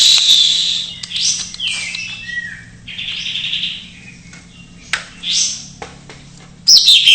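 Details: Greater green leafbird in isian-style song, played to stir silent birds: scattered high whistles and buzzy slurs with quieter stretches, ending in a loud high burst, and a low hum throughout.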